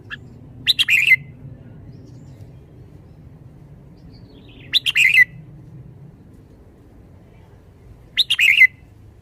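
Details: Caged Red-whiskered bulbul showing liveliness, delivering short bright warbled phrases around three notes each, rich and chirpy, repeated roughly every four seconds with quiet low hum between bursts.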